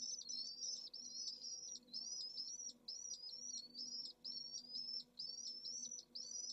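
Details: Pallid swift at a one-chick nest in central Jerez de la Frontera, Spain, 25 August, solar midday, heatwave above 44°C; high buzzy trill bursts about every three-quarters of a second with brief gaps, faint low hum behind.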